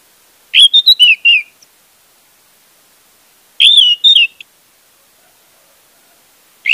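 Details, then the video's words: Orange-headed thrush used to spark song in a silent bird: loud, fluty warbled phrases of several quick notes each, given roughly every three seconds with clean silence between. "pancingan anis merah untuk anis merah macet"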